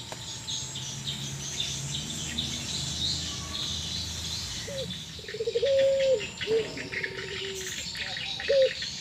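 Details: Pelung-type Barbary doves, said to be sad or in breeding condition, keep calling back and forth. Mostly background chirping and insect buzz at first, then soft, level, drawn-out coos with short upturned notes in the second half.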